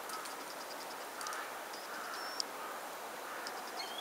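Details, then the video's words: A green sandpiper (Tringa ochropus) spring song, recorded 24 January 2015: thin, high whistles in short clipped notes, then a longer pure whistle and a sliding whistle at the end, over steady background hiss. "Fluierari de zavoi, cantec, Tringa ochropus, song, Green Sandpiper"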